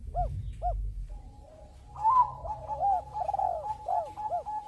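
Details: Bangkok-type zebra dove singing to set other birds going: two arched coos, then overlapping warbled coos laid over a steady whistled tone, suggesting more than one singer.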